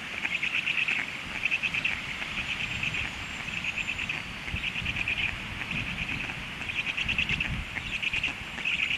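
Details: Stork chicks calling hungrily once the adult has left the nest, a high, thin chattering chorus pulsing in irregular bursts and pauses, with soft wind and rustling beneath.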